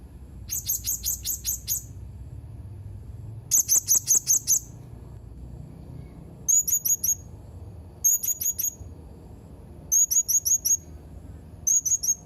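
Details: Blue-crowned hanging parrot, dated 31 March 2021, giving bursts of rapid, very high, thin squeaky notes, four to seven per burst, repeated about every two seconds with short pauses between, over a quiet low rumble.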